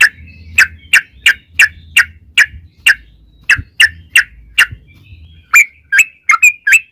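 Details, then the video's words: Yellow-vented bulbul 'ropel' song used as a lure for other bulbuls: steady sharp chirps about every half second over a low humming noise, ending in a quicker run of brighter notes. "trucukan gacor ROPEL PANJANG buat pancingan trucukan agar bunyi"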